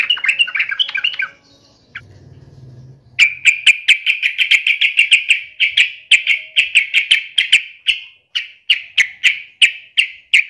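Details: Sooty-headed bulbul, agitated and in fighting mode: a short chattering phrase, a low rumble, then a long steady series of sharp, clipped notes, roughly three per second.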